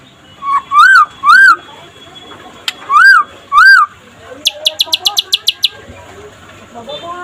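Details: White-rumped shama, a daytime master recording meant to stimulate other shamas to sing: a few loud ringing whistled notes near one pitch, then a quick burst of eight sharp high ticking notes over a quiet background.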